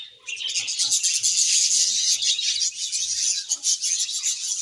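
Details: Budgerigars chirping as a happy colony, a thick unbroken wall of high, scratchy warbling and chattering throughout, with scattered faint low sounds beneath.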